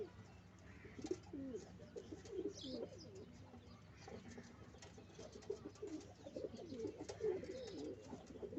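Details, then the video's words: Pigeons at a nest-building site coo in low, rolling, throaty phrases, several overlapping and repeated irregularly, with faint higher chirps in the background. "beauty of pigeon || high fly pigeon || natural beauty || natural sound"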